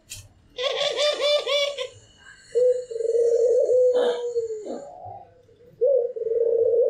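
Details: White pelung-type Barbary dove and a local Barbary dove, calling frequently: a rapid, laughing, rolling burst, then long, steady, low, mellow coos. A brief click-like sound falls in the middle.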